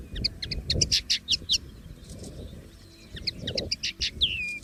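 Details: Common linnet singing free in nature: two bursts of quick twittering notes and short buzzy trills, with a gap between phrases and a rising-then-falling slurred whistle at the end; faint low rumble beneath.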